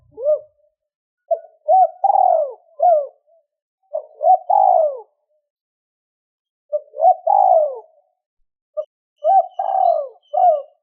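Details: Spotted dove giving its two-tail-note cooing to draw in wild birds. Phrases of three or four short rounded hoots build to a drawn-out falling coo and come back every few seconds. The setting is quiet.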